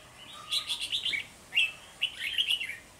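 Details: Singing red-whiskered bulbul serving as a decoy to lure wild birds during early-season trapping, 3 November 2020; a rapid warbled phrase, a pause, then two more chirpy, slurred phrases.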